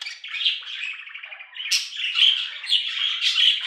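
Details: Continuous budgerigar warbling indoors: a rapid, buzzy, rattling chatter with bright whistled notes and harsh squeaks running without pause for several seconds.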